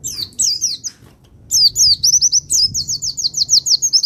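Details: Pacitan-type Javan white-eye singing in a master recording used to stir other birds: very high, sharp slurred chirps, a short pause, then a fast rolling run of repeated downward-sweeping notes about six per second.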